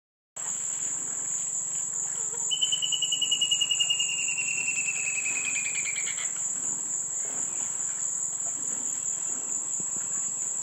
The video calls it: Palmari Antbird